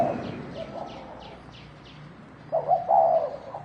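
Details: A fighting spotted dove of the thổ đồng kind ends with one clear low coo, stuttered then drawn out, after faint coos and soft high descending chirps in a hissy background.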